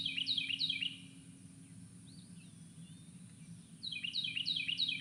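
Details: Carolina wren, the South Carolina state bird, recorded in South Carolina, sings loud, rolling, high-pitched phrases about three times a second, in two bursts with a quiet gap between, over a low steady hum.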